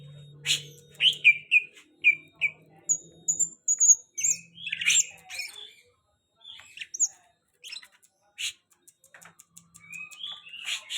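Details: Very tame greater green leafbird (cucak hijau) giving bursts of varied whistled notes and high thin trills, broken by scratchy chips, over a low steady hum and faint background noise.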